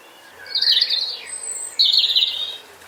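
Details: A European Robin in a garden in Hampshire, UK, in 2020 sings two rich, high warbling phrases with fast tumbling notes, the second starting abruptly after a brief pause.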